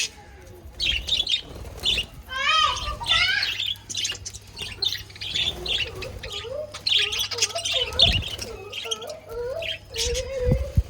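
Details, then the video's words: Pet budgerigars chirping, recorded 5 February 2024: several birds giving busy, overlapping warbled chirps and short rising squeaks in rapid irregular bursts, with a faint low hum underneath. "budgies chirping"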